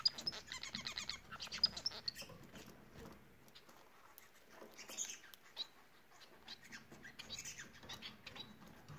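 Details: Bengalese finch singing a fast chattering phrase of repeated buzzy notes and a few thin high whistles at the start, then only faint scattered notes, with a short burst near the end.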